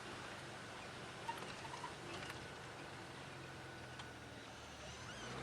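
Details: Quiet evening safari ambience with a steady faint hiss and soft ticks, no clear animal calls.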